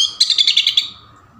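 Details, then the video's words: Oriental magpie-robin song used as a lure to get a bird singing: a quick burst of about eight high, sharp chirped notes that fade out, all in under a second. "SUARA KACER NGEPLONG VARIASI | PANCINGAN KACER"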